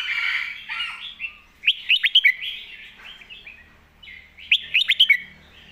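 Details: Red-whiskered bulbul singing a master-song style phrase: clusters of five or six sharp, lilting whistled notes, repeated twice, over a soft background wash of other chirping.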